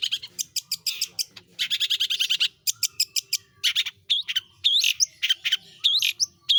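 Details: Long-tailed shrike, a kept pentet, singing in a rapid rolling style: fast runs of harsh, buzzy broadband notes repeated in quick series, broken by short gaps and a few sharp rising whistled notes.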